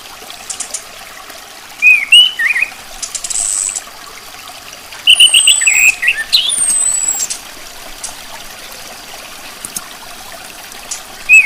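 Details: Calls of a female orange-headed thrush: scattered bursts of short, squeaky, warbling chirps in small clusters, with thin, very high descending whistles among them and a final chirp at the end, in a quiet setting.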